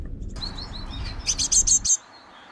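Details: Great tits on an eleventh floor in Mariahoeve, The Hague, in May. A few faint rising notes lead into a quick burst of five sharp, buzzy chipping notes, over low background rumble that then falls quiet.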